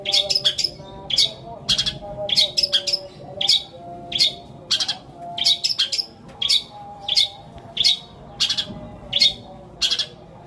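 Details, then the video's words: Long-tailed shrike with a mimicry fill of sparrow, petir and kuntilanak calls, used to stimulate stuck shrikes; clusters of harsh, high chattering bursts recur about every half second to second, irregularly spaced, with a quiet hum beneath. "CENDET ISIAN GREJA PETIR KUNTILANAK COCOK BUAT PANCINGAN CENDET MACET BUNYI"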